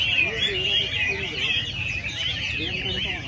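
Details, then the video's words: Chinese hwamei singing at a weekly training session in early December. Loud, varied whistled phrases rise and fall without pause, with a few lower warbled notes beneath and a faint low rumble. "Dãi dượt Hoạ Mi hàng tuần"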